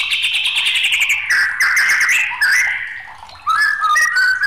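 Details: White-rumped shama, agitated, singing a sustained buzzy trill, then warbled phrases and a series of short, clear whistled notes.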